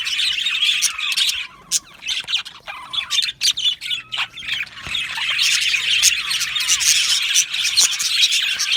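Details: Budgerigars in an aviary colony: sharp squawks and separate chirps in quick bursts during the first half, then the flock's dense, overlapping twittering chorus swells and holds steady.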